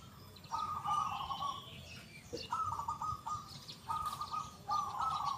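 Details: Actively singing local perkutut (zebra dove), its big 'kung' voice loud and clear. It delivers about five burred, rolling coo phrases, some linked closely in pairs. A thin higher bird call carries faintly behind.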